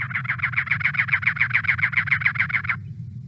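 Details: A pair of Cactus Wrens in winter in southeast Arizona give a rapid run of harsh, rasping notes, about three or four a second, like an engine trying to start, over a faint low hum.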